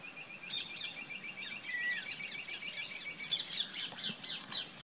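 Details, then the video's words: Rock bush quail (Perdicula argoondah) at a farmhouse in Rajasthan, India: a rapid stream of high, thin chirps and short whistled notes, about four a second, several voices overlapping over faint background noise. "Rock bush quail"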